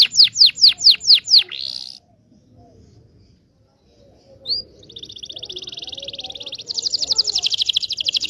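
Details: Song of a local Indonesian canary for teaching young canaries: six loud downslurred whistles and a brief buzz, a quiet pause, a single note, then long rapid high trills.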